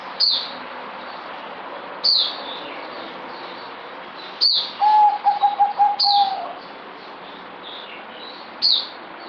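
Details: Merbok, or zebra dove, a kept bird noted on 08052020 as easing off its singing, gives a quick burst of staccato cooing notes at an even mid pitch, set among repeated bright, high chirps from other birds.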